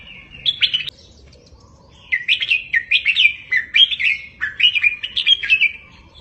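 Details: Red-whiskered bulbul tutor recording in the doubled 3-4-5 style, meant for caged birds to copy: a brief whistled burst, about a second of silence, then several linked phrases of lively, rolling whistled notes.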